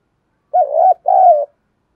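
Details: Spotted dove giving a lure coo in local field-voice style, used to rouse and train wild-caught doves to fight. A pair of low, breathy cooing notes, the second longer and softly descending, with no other sound.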